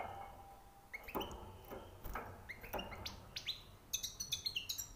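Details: Recently trapped European goldfinch giving short clear whistled notes amid clicks and knocks, building into a quick run of high, bright, repeated twittering notes at the end.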